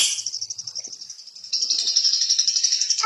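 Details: Long-tailed shrike song; a fast high buzzy trill of rapidly repeated notes that grows louder and steadier halfway through, with faint low sounds underneath.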